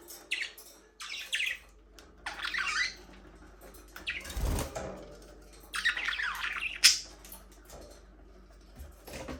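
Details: Budgerigars talking, singing and playing in an aviary: short bursts of scratchy chirping come in separate clusters, with quiet gaps and a soft low thump near the middle.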